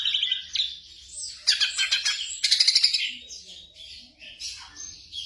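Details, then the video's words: Black drongo singing on a night-time tutoring track for caged birds: whistled notes broken by loud, raspy pulsed bursts and quick chatter, tailing off into softer scattered chirps; faint low hum. "TERAPI SRIGUNTING MALAM HARI vol.02"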